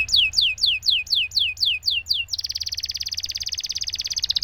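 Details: Canary performing a long roll to get silent canaries singing: eight loud descending whistled sweeps, then an abrupt switch to a fast, steady, buzzy trill until the end.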